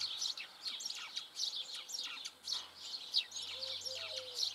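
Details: Eurasian tree sparrow song, an uncommon sparrow seen only locally, with the recordist thinking it sounds just like the house sparrow's: a busy stream of bright, overlapping chirps, several each second, suggesting a few birds calling together over a faint low hum.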